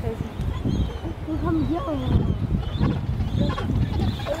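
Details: Gentoo penguin chicks chasing their parents for food on the Antarctic Peninsula, giving wavering, harmonic, bleating calls that bend up and down in short bursts over a steady rumble of wind.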